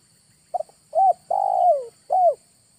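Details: August lure call of a spotted dove. A brief stuttered note comes first, then an arched coo and a drawn-out descending coo, and the phrase closes with another rounded coo. The background is quiet.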